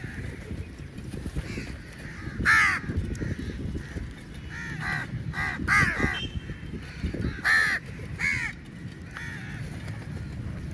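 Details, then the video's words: Many crows fighting for meat while being fed: scattered harsh caws, a loud close one early, a burst of quick caws midway, and another loud call later, over low rumbling noise. "Crow Birds Fight For Meat | Large Number Of Crows Naturally Awaz"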